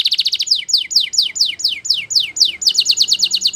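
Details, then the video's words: Belgian canary training song: quick bright trilled notes, then a series of loud descending sweeps about four per second, returning to a rapid trill. "Belgian Canary Singing !! Canary Training Song"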